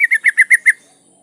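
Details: Yellow-vented bulbul female in breeding condition calling a male: six evenly spaced, sharp chattering notes in under a second, then quiet.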